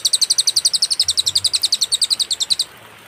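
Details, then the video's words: Cililin song used as a master recording to tutor songbirds, described as clear with pauses: a fast, even series of high, sharp chip notes, about four per second, lasting two and a half seconds, then quiet. "masteran suara, burung cililin suara jernih & berjeda"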